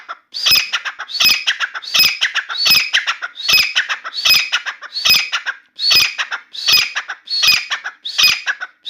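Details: Newly acquired grey francolin (Dakhni teetar) calling steadily indoors; a long run of about eleven loud, harsh, ringing phrases at an even beat of roughly 0.75 seconds, with no other sounds.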